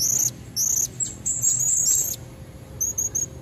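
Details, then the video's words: Female Blue-crowned hanging parrot calling to lure red-necked males in nature: long shrill high-pitched buzzy notes run together, followed by three quick thin chips. "Suara serindit betina buat pancingan jantan leher merah"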